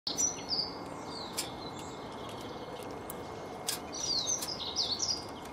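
A nuthatch gives thin, high chirps in quick little bursts near the start and again toward the end, over a steady hiss of background noise.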